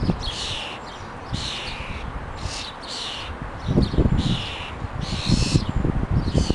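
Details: Common starling feeding her young in a home garden where food is put on the ground each morning; harsh, rasping hissy bursts about a second long, repeated roughly every second, over low rumbling background noise.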